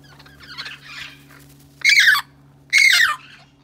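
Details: Wild Amazon parrots in a large flight aviary in San Diego (yellow-headed, red-lored, red-crowned, lilac-crowned) give two loud, harsh, grating squawks about a second apart after softer chatter, over a steady low mechanical hum.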